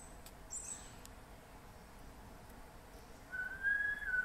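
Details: MacGregor's bowerbird in Papua New Guinea rainforest gives a sustained pure whistle near the end, steady then gently falling. A brief high chirp from another bird is heard earlier over soft background hiss.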